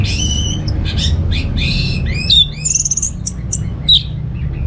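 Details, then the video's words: Orange-headed thrush, a cage bird from Singaraja in Bali, used to prompt other birds to sing. Buzzy notes give way to rising whistles and short sharp chips against a steady low rumbling background. "Suara ANIS MERAH Berkicau"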